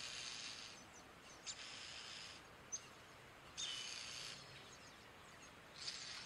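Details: European starlings at a nest during chick feeding: rasping, noisy bursts lasting under a second, three main outbursts spaced about two seconds apart, over a low constant hiss of outdoor noise.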